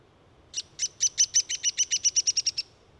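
A Downy woodpecker gives a quick run of about fourteen high, squeaky notes over two seconds, speeding up a little toward the end, against a quiet background.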